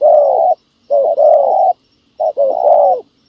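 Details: Spotted dove at a ground decoy used to lure wild doves, giving three loud cooing phrases, each a long, slightly falling hollow coo broken into joined segments.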